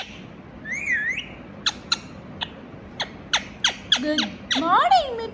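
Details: A pet talking Indian ringneck (rose-ringed) parakeet chatters: a rising-and-falling whistled phrase, then a string of sharp clipped squawks and a final burst of harsh, speech-like syllables.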